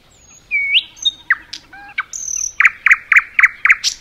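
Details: Nightingale singing in a forest: varied whistles and slurred notes, a high thin whistle, then a steady series of six loud, sharp chirps repeated about four per second over faint background hum.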